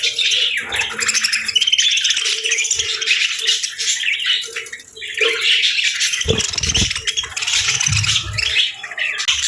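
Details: Parakeets feeding on a cold winter morning, a group chattering in busy high chirps and squawks, with a low steady hum and a few knocks in the background.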